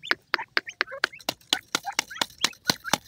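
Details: Several sharp broadband ticks come roughly four per second, with short rising and falling chirps from grey francolin chicks threaded between them.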